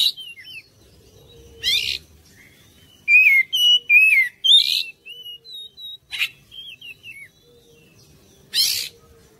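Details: Oriental magpie-robin song meant to draw other birds into singing: scattered whistled slurs and quick downward-sliding notes, mixed with brief harsh scratchy bursts, a faint low steady tone underneath.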